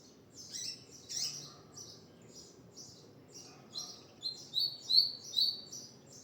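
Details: Double-collared seedeater song: a series of high, short chirped notes, then faster sharp whistled phrases near the end, rather quiet against a soft background hiss.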